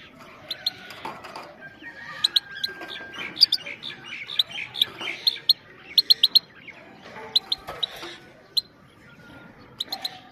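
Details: Female goldfinch calls to stimulate males and train young goldfinches: bright, clipped high 'pit' notes in quick pairs and triplets, steady through the recording, with soft twittering underneath.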